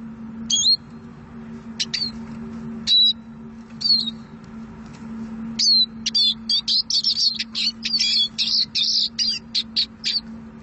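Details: Eurasian siskin: scattered high single chirps and twangy whistles at first, building into a dense rapid twitter ending in a buzzy, wheezing phrase and clipped notes, over a constant low hum.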